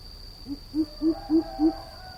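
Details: Five soft, low hoots from a greater coucal, evenly paced, set against a noisier background with a steady high whine and faint hiss.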